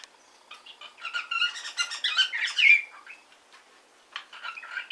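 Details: Cockatiel kept as a hand-tame pet, practising speech: a continuous scratchy, chattering stream of syllables building to a loud peak, a brief pause, then softer chatter resuming.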